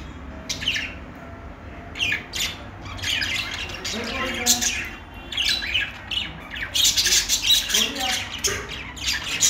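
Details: Budgies sing in irregular bursts of scratchy chirps and warbling squawks, separated by short quieter gaps, growing busier toward the end.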